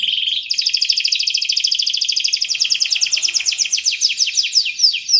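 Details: Canary singing steadily as a lure for young birds. A short buzzy note, then a long evenly pulsed trill that slows into separate slurred chips toward the end.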